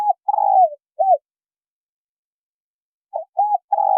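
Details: Spotted dove pair, male and female, giving low cooing phrases: long rough drawn-out note ending in a short arched coo, silence, then two quick coos leading into another long note; quiet background.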